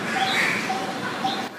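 A Coppersmith Barbet gives soft, hollow, metallic 'tuk' notes about every half second, like tapping on metal, over higher chirps from other birds and background hiss.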